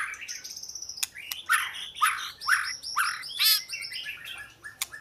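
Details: Oriental magpie-robin singing a series of loud, repeated downslurred whistles about twice per second, mixed with sharp clicks and a brief buzzy trill.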